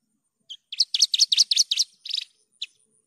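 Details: Javan bush lark song from a clear tutor recording: an opening chirp, then six quick chirping notes, a buzzier phrase and a lone closing note.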